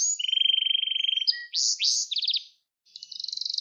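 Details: Gloster canary song for teaching young canaries: a long steady rattling trill, brief rising sweeps, a short burst of quick notes, a pause and another rapid high trill.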